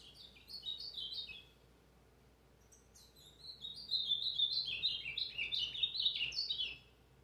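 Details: Brown azulão singing: a short burst of warbled whistles, a pause of about a second and a half, then a longer loud run of fast sliding, chirping notes that fades out at the end; steady low hum behind.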